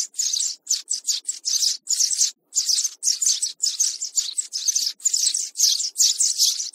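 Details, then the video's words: Young sparrows chirp in rapid, bright bursts of chatter, almost three a second, with hardly a break between them; used as a trapping lure. "Tiếng sẻ Non"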